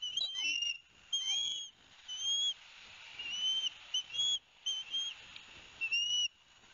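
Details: Osprey young at Barnegat Light, New Jersey, 13 September 2021, calling as the father brings fish. Spaced, drawn-out high whistles, some slurred downward, rise over a steady background hiss.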